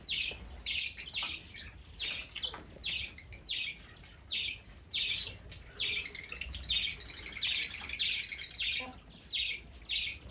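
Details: Fischer's lovebird giving shrill, high chirps in short bursts roughly once a second, with some overlapping chatter in the middle and faint low rumble underneath.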